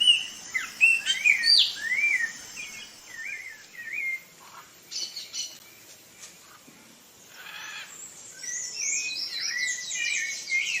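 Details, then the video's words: Rufous-bellied thrush (Turdus rufiventris) of Brazil sings quick, high, warbled phrases of wavering whistles and chirps, with short pauses and brief raspy bursts between them. "Canto do Sabiá Laranjeira"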